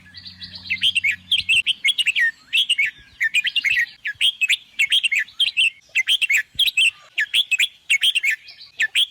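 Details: Red-whiskered bulbul singing: quick, bright warbled phrases repeated in rapid succession, each a short cluster of rising and falling whistled notes, with a low steady hum for the first two seconds.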